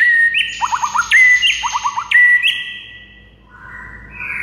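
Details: Morning song of a white-rumped shama (murai batu), used as a tutor recording for other birds: a repeated phrase of a pure whistle, a sharp upward flick and a quick four-note trill, given twice, then fading lower warbles.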